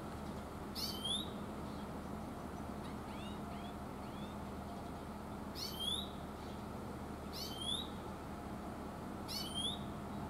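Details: Oriental greenfinch (Chloris sinica) calling "chuiin, chuiin" in mountains, giving short, bright twittering chirps in quick clusters about every two seconds, over a steady low rumble of background noise.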